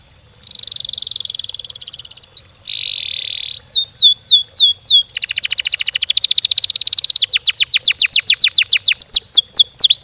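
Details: Canary singing in full, lively voice, a long, rolling, continuous song in a fast, tight style meant to prompt other canaries to sing: high whistled notes, a sustained buzzy tour, then rapid repeated descending sweeps breaking into quick trills.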